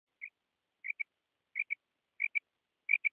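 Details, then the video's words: A female common quail gives short, high, clipped notes, mostly in quick pairs, about every two-thirds of a second, growing louder, with no other sounds; a call used to lure quail for hunting. "Female batair"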